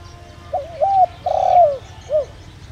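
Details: Decoy spotted dove using the "đồng rặc" voice to lure wild birds: one cooing phrase with a soft opening note, a level coo, a long emphatic coo and a short dropping note at the end.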